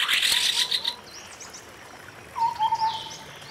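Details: Forest recording opening with a loud burst of high chattering, then a White-browed scimitar babbler giving a clear run of four or five low hollow piping notes amid distant chirps.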